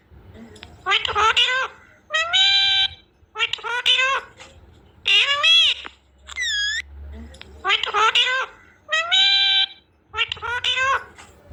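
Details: Baby pet parrot repeating a two-part word, likely "mami", in harmonic, slightly raspy syllable pairs about every two seconds, with one higher whistle-like call in the middle; soft low hum in the background.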